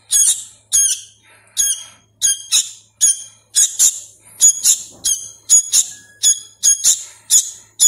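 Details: Hand-fed sooty-headed bulbul chick, a youngster still learning to call, giving a steady series of sharp, high, harmonic squawks, often doubled, repeated about every half second with little background noise.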